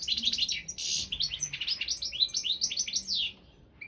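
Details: European goldfinch of the Balkan subspecies Carduelis carduelis balcanica, entered in an internet world championship for goldfinch song run under Serbian association rules; rapid twittering phrases of tinkling, buzzy notes, with one harsh burst near the first second, then a pause.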